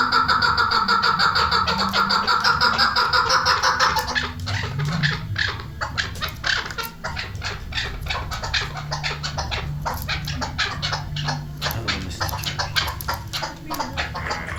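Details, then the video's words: Gray chukar partridge with rhythmic, repeated harsh chuck notes for about four seconds, followed by a long stretch of clicks, rustling and low background noise without clear calls. "shikari chakor ki video"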